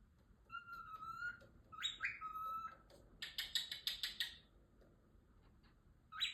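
A contented cockatiel chatters with flat whistles, a rising whistle and a burst of quick scratchy notes.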